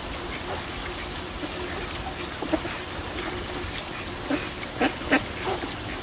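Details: Ducks quacking on a pond. Faint early calls give way to a cluster of short nasal quacks toward the end, all over constant trickling water.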